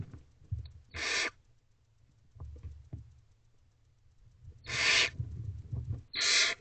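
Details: Barn owls in a nest box at night, 1:12 am on 19 April, as the male delivers a rabbit to the family; harsh hissing screeches, three broad noisy bursts about a third of a second each, with faint scratching between.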